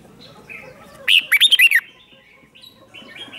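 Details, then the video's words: Decoy red-whiskered bulbul singing to lure wild birds: a single loud burst of quick, looping whistled notes, followed by faint, thin chirps from other birds. "Chào mào mồi gọi bổi không tạp âm, tiếng chào mào mồi gọi là đến"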